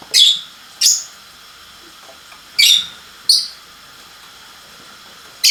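Lovebird giving shrill, harsh chirps in short bursts, often in quick pairs, a few seconds apart, over a faint steady hiss.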